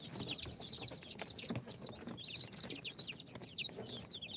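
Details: Chorus of baby chicks hatched in an incubator, day four, including Sultan, Golden Sebright, Cochin and booted breeds: dense, shrill, rapidly repeated downslurred peeps from many birds at once, with occasional soft taps and clicks.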